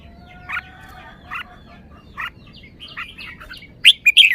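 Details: Red-whiskered bulbul, kept caged, gives spaced short chirps about every second over a thin background twittering, ending in a loud burst of bright, warbled notes.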